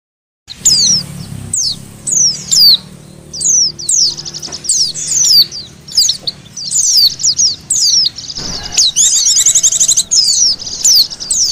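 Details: Oriental white-eye lure call for attracting birds: sharp, high, thin chirps and downslurred whistles in scattered bursts, with a low hum underneath early on and a dense buzzy trill near the end.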